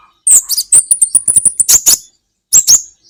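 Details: Kolibri ninja, or olive-backed sunbird, singing on a training recording for cage birds: a quick string of shrill, high chips run together into a ringing trill, a short pause, then two more piercing notes.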